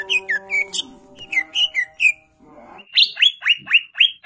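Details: Greater green leafbird, a champion songbird, singing a full fill-in training song: a run of short whistled notes with downward slurs, a brief low chattering passage, then five loud descending whistles evenly spaced.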